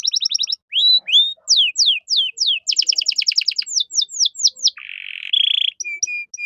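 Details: Caged gacor canary singing a cengkok mewah master song for tutoring other songbirds: quick stutters, slow falling whistles, a rattling trill, then a harsh buzz and short level whistles.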